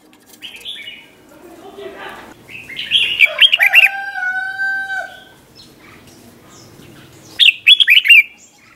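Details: Red-whiskered bulbul, '100 Achip' doubled song style for training young birds: warbled phrases at the start and end, with a long, steady, drawn-out tonal call and other bird chirps in the middle.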